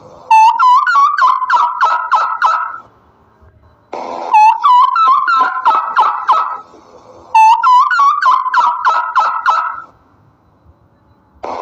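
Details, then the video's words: A turkey gobbles three times, each a loud, rapid, bubbling rattle of about three seconds, repeated roughly every four seconds with quiet in between. "suara ayam Turki/the sound of a Turkish chicken"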